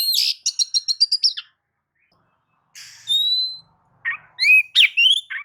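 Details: Kept white-rumped shama singing as a lure to provoke other birds: a fast run of clipped notes, a pause, then clear whistles and a rising slurred phrase.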